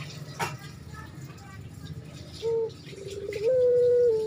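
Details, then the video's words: Spotted dove in breeding condition calling to a female: after a quiet start, two low, mellow coos come near the end, the second drawn out and slightly falling. Faint background hum and a short click throughout. "Burung Puter Birahi !!! Manggil Betina"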